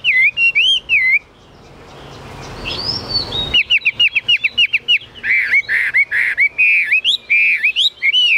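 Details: Kept Chinese hwamei in full song: a clear whistled phrase, a burst of rushing background noise, then a long series of quick, bright whistled notes, each slurring up and down, delivered in rapid steady succession.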